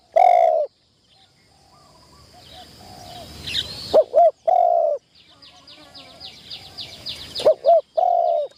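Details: Spotted dove on its first training session in a trap enclosure for decoy trapping: low, hollow coo notes in short bursts and quick pairs near the start, middle and end, with faint twittering of other birds between them.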